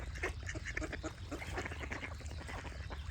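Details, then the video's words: Short run of harsh duck quacks repeating quickly, layered over chattering songbirds and a constant low hum. "Cute Duck Quack Sound Effects with Birds Singing"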